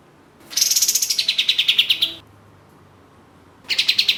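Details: Katem, the orange-spotted bulbul, singing energetically. A two-second rattle of quick, sharp, high notes begins slightly higher and drops a step, then stops. After a pause a second burst begins.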